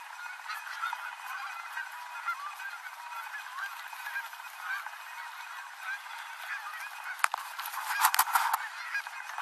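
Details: Canada geese gathering on the Rogue River, Oregon, at the end of the day, honking while landing; a thick, layered chorus of nasal calls, then a burst of rattling clicks from a bicycle near the end.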